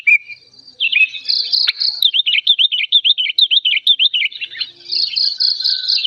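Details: Old sooty-headed bulbul in heated song, loud and clear: a string of quick slurred whistles, roughly two per second, framed by a pulsing high-pitched trill before and after.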